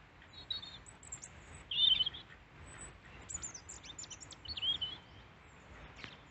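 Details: Wild European robin singing in Peasholm Glen, Scarborough, UK, after repeatedly landing on a hand to take seed; a few short high warbled phrases with thin whistles and trills, separated by pauses, over faint background hiss.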